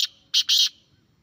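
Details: Grey francolin calling, meant to prompt captive birds to reply: one brief loud shrill note followed by two strident longer bursts, the last stretched and harsh.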